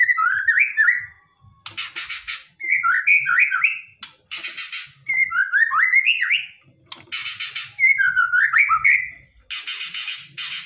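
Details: White-rumped shama singing aggressively, full of harsh 'shots' meant to provoke a reply: zigzagging whistled phrases alternate roughly every two seconds with loud, rasping noisy bursts.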